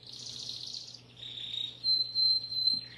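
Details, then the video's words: Short passage of Timbrado canary song: a buzzy, wavering roll, a lower rolled trill, then a clear, steady high whistle held for about a second, ending on a softer trill. "تغريد كناري التمبرادو"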